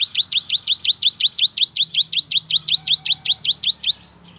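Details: Young cinereous tit in vigorous song, played to get lazy young birds singing: a rapid, evenly spaced string of bright, high, slurred notes, about four per second, continuing for four seconds before stopping.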